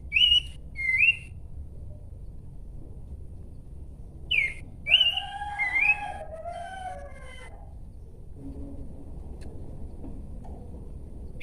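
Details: Abbott's babbler (pelanduk semak) singing: short clear slurred whistles, the first two dipping and rising, then after a pause a brighter run of rising and falling whistled notes with fainter lower tones, over quiet low background hum.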